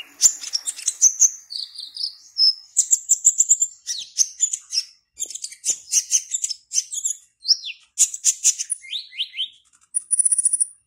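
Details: Black-naped oriole in a cage, entered in an online singing competition from Serang, Banten, Indonesia, keeps up an unbroken stream of high chattering phrases, quick slurs and a closing buzzy trill.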